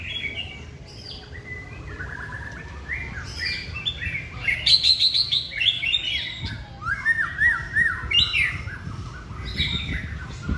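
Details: Chòe lửa, or white-rumped shama, kept caged and trained to sing, pours out a continuous medley of whistled notes, chirps and slurred swoops, loudest in the middle, over faint low rumbling.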